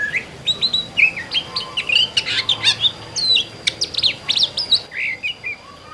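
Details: Singing oriental magpie-robin in the 'gacor ngerol plong' style: a rapid, rhythmic stream of loud whistles, clicks and descending slurs, roughly three notes a second, broken only by one short pause near the end.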